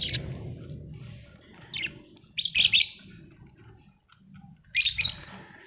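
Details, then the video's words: Happy budgie giving a few scattered bursts of scratchy, high chirps and chatter, a couple of seconds apart, over a low murmuring background noise. "happy budgie chirping sound"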